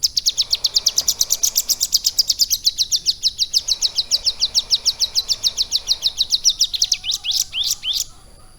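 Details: Ciblek gunung prinia raised in a cage with lovebird song as its tutor: a fast, rattling high trill for seven seconds, ending with a few slower, louder upsweeping chirps.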